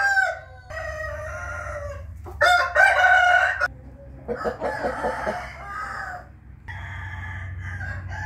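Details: Rooster crowing in the morning on 8 April 2021: several harmonic crows in succession, one loud and bright in the middle, with a pulsed clucking run after it and a steady low hum in the background.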